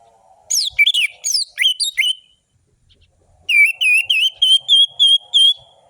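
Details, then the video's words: Orange-headed thrush lure song for birds that are reluctant to sing: a quick phrase of descending whistles, a pause, then a long evenly repeated series of ringing, wavering whistles about three per second, with faint hum behind. "Anis merah gacor‼️ Pancingan anis merah malas bunyi"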